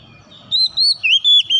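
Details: Short oriental magpie-robin phrase used to prompt a silent bird to sing: four or five smooth, sweet whistles, gently wavering and slurring, with a soft low hum behind them.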